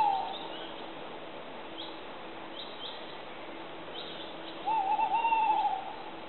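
A tawny owl gives a long, wavering, quavering hoot lasting about a second, with a brief hoot fragment at the start and faint background hiss.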